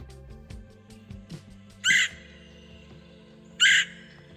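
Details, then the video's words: A red-headed woodpecker call: two loud, harsh, rasping notes about two seconds apart, over a faint low hum and soft background clicks. "the redheaded Woodpecker's call sounds like this"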